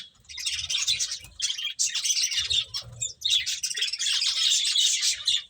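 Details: A flock of finches eating, chirping almost nonstop in rapid, high-pitched twittering bursts, the busy overlapping calls dropping away only briefly.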